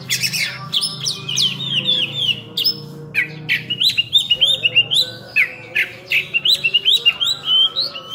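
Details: Oriental magpie-robin in full, energetic song: dense varied phrases of whistled upslurs, chattering trills and rapid repeated notes, with faint low tonal humming in the background.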